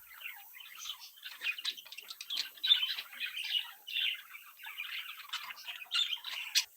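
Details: Captive budgerigar chicks from a home brood, playing and interacting, giving dense warbling chatter: continuous rapid chirps and squeaky notes, high-pitched and irregular, with louder bursts throughout.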